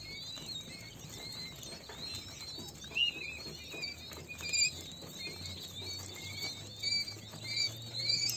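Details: Several King quail chicks peeping softly and continuously, high thin whistles overlapping in a dense chatter, with scattered louder notes and steady low background noise.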